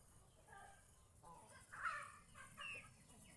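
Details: Domestic geese out in the fields around a house give a few short, nasal honking calls, the loudest near the middle, followed by two fainter honks, against a low background rumble.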